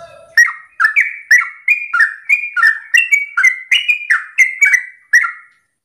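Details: Lively yellow-vented bulbul in morning song, a lure meant to make other bulbuls answer with the same long continuous singing: about thirteen short bubbly, slurred notes given roughly every half second, with mid-pitched warbling over a quiet background.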